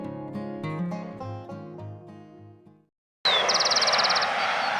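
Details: Double-collared seedeater in central Argentina, a juvenile male with uniformly grey plumage, giving a short whistled slur, then a rapid, high, buzzy trill over a steady outdoor hiss. Plucked banjo music comes first, followed by a brief silence.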